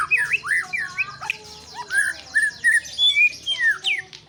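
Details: White-rumped shama in varied song: rich, swooping whistles sliding up and down, separated by short pauses, with a few sharp high notes and scratchy chatter, low hum faintly underneath.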